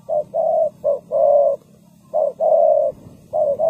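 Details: Spotted dove calling as a trapping lure. Two phrases of low, rounded coos, each a clipped opening note leading into a long sustained croo, separated by a short pause, with a steady low hum behind.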